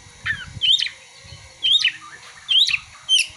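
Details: Song of an Oriental magpie-robin carrying prinia and sunbird imitations: four similar squeaky, slurred phrases, roughly one every 0.9 seconds, each a bright rising twist followed by a buzzy drop.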